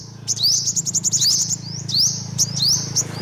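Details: Olive-backed sunbird calling rapidly: thin, piercing upslurred chips and short fast trills over a steady low hum.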